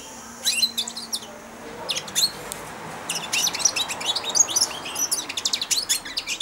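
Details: Young caged European goldfinch, four months old, singing its first babbling subsong while taking food from a hand: bursts of high, thin, buzzy twitters and clicks, growing denser and louder toward the end.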